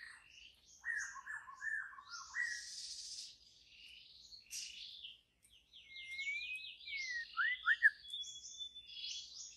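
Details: Wild forest white-rumped shama giving a medley: stuttered mid-pitched notes, a buzzy stretch, then a zigzag whistled trill and paired downward whistles, with softer high notes around.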